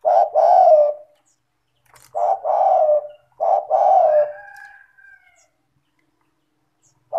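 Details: Spotted dove calling steadily, used as a lure for lazy doves: warm, low coos in paired phrases with faint high chirps behind, then a quiet gap before the next coo begins.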